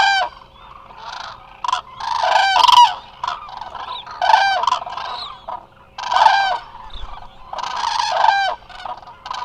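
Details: Resting Eurasian cranes gathered in large numbers at the Hula Nature Reserve in Israel call noisily on a live camera: hoarse bugling bursts rise and fall as several birds join in, with brief lulls between.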